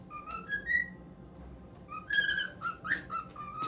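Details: Pet cockatiel singing indoors: clear whistled notes gliding between pitches, short phrases with gaps, some notes stepping upward, over a steady low background hum.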